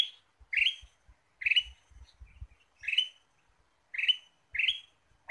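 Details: Ruby-throated bulbul call used as a lure to attract birds: short, bright, slightly rising chirps with a ringing overtone, given singly or in close pairs with pauses of about a second between them, over a faint low rumble.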